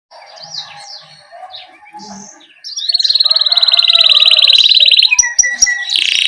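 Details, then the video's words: Canary rolling ('ngerol') song used as a master recording to stimulate young canaries to sing. Soft varied chirps and scratchy notes give way to a loud, rapid, sustained trill lasting about two and a half seconds, ending in sharp clicks. "Masteran Suara Burung Kenari GACOR Ngerol"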